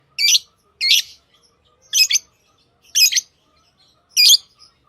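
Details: Lovebirds chirping: short harsh high-pitched squawky chirps, five bursts spaced about one second apart, in a quiet indoor setting.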